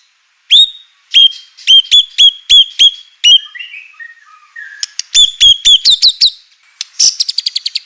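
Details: Song of a white-rumped shama, played to make other shamas sing: a steady series of loud, sharp, ringing notes roughly every quarter second, a soft warble, then faster chips and a rattling trill.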